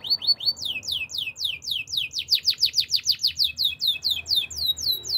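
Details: Canary song: a rapid series of clear descending whistled notes, about two per second, sliding downward in repeated trills, with a quiet low hum beneath.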